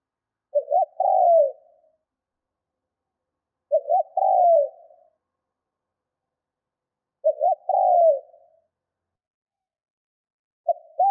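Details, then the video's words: Trained decoy spotted dove cooing in the 'Thúc' manner to lure wild birds; four evenly spaced phrases about every three and a half seconds, each a brief double note and a falling hollow coo, in silence. "Chim cu gáy mồi Thúc - Gù hay kích bổi"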